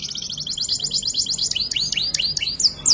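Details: Canary singing a full-fill, vigorous ngerek-style song: a fast, high buzzy trill of repeated notes gives way to a series of bright, rising, upward-sweeping whistles, ending in sharp high chirps.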